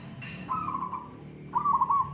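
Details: Zebra dove of local stock in a singing contest, giving two short rolling cooed trills, the second louder, over a low background hum.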